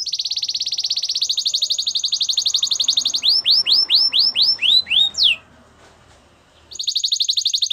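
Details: Belgian canary singing for training a silent canary: a high rapid rolling trill stepping up in pitch, then a series of slurred falling whistles, a pause, and the roll resuming.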